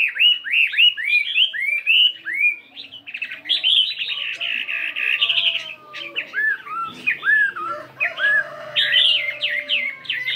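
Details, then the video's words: Fighting Chinese hwamei of 72 grams, practising its varied song in the morning: a long, rich stream of fast whistled loops and trills that change pattern repeatedly, with a faint low hum. "Tiếng Chim Hoạ Mi Chiến 72gam Hót Đảo Giọng Rất Hay"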